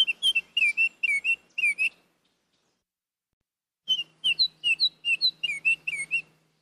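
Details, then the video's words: A Baltimore (Northern) Oriole gives quick bursts of clear, slurred whistled notes, several per second, in two runs split by a short pause; a faint low hum underlies the second run. "Northern Oriole Bird Sound"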